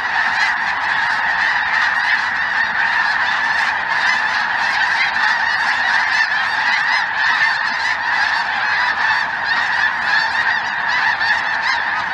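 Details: In southern Indiana on 23 January 2023, a chilly afternoon, a few snow geese among greater white-fronted geese, possibly with Ross's geese, fill the sky; continuous massed honking from many birds, steady and loud throughout.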